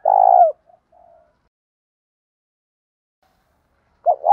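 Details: Spotted dove, in a recording of female and male calls used to stimulate captive doves, gives a low, mellow coo followed by two soft short notes; after a pause of about three seconds, another coo begins.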